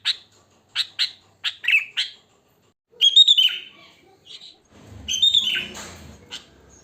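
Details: Sooty-headed bulbul recorded in the wild for luring other bulbuls: several short sharp notes, then a rising, slurred whistled phrase, ending with more warbling over some low background noise.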